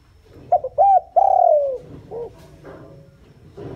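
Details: Spotted dove decoy calling to attract wild doves. A single phrase of quick short notes, a long falling coo and a softer arched last note, then quiet background rumble.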